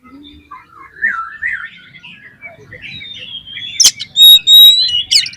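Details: Oriental magpie-robin song used as a lure to excite other magpie-robins into singing their full repertoire. Soft varied warbling phrases rise into loud, pure whistled notes and sharp clipped accents toward the end.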